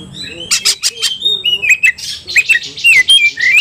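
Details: Oriental magpie-robin stirred to fight, in full vigorous song: dense rapid rasping pulses interwoven with sharp rising and falling whistled notes, continuous and intense throughout.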